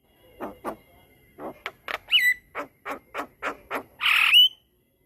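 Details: Javan myna singing a long rolling song used to tutor other mynas: a string of lower, rough chattering notes in uneven bursts, ending in a loud raspy squeal that slides into a short whistle.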